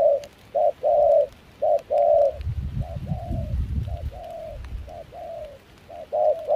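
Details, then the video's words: Spotted dove, a wild-caught decoy bird with a mixed foreign-style voice, coos during dove trapping in rain and cold wind in Kon Tum. Paired short-then-long mellow coos repeat about once a second, with low wind rumble in the middle. "Gác cu khi trời mưa gió se lạnh.bổi giọng pha nước ngoài chơi tốt."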